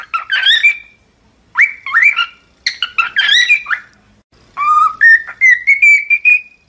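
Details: Cockatiel in song training giving bursts of warbling, chattering whistles separated by short pauses, ending in a series of clear whistled notes that step upward.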